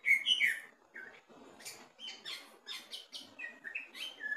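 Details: Caged greater green leafbird tested at the cage bottom, opening with loud slurred whistles, then a busy series of buzzy chips and short whistled notes in quick succession.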